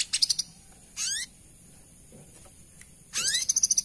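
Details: Brown-throated sunbird female calling the male, quieter and more distant: high rapid ticks, a buzzy rising sweep, then another ticking trill over a low background hum.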